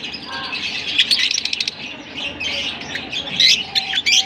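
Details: Lovebirds in Larkana give a shrill, busy chatter: rapid high squeaks and short sharp chirps that swell into louder bursts near the end, over a dense twittering background.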